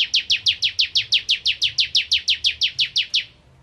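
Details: Bar-winged prinia, likely a kept bird in full song, giving a fast run of about sixteen identical sharp descending chip notes, high-pitched and evenly spaced, roughly five per second, ending abruptly.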